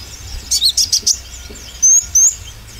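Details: Oriental white-eye lure audio to get birds singing with more nerve: a quick run of five high buzzy chips, then two long thin whistled notes, over a faint low hum.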